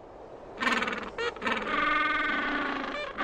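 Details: Penguins in the cold while the males incubate eggs: a harsh, braying, harmonic call rising out of a burst of noise and held for about two seconds, with rough wind-like hiss throughout.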